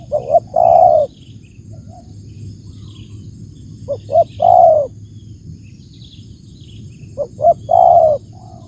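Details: Tekukur, or spotted dove, cooing: each phrase is one or two quick short notes, then a drawn-out purring coo. Three phrases come about three seconds apart over a faint, constant high whine.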